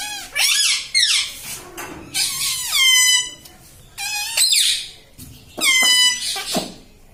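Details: Talking parrot (tota) repeating words like "mitthu" and "mummy": four bursts of raspy, harmonic, word-like squawks, each with a falling-then-rising pitch, about one every one and a half seconds, with small clicks between.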